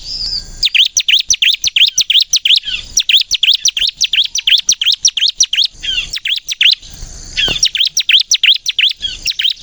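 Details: Crystal-type bar-winged prinia in full song, used to coax silent prinias into singing: fast bursts of piercing high chirps, several per second, broken by short gaps, with a brief lower sweeping note near the end.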